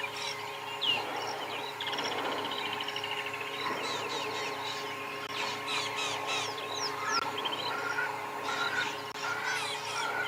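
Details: A Woodland Kingfisher's sharp notes run into a high, descending trill that pierces and dominates a busy sunrise chorus of many chirping and whistling birds in the bush on 7 January 2022, over a steady hum.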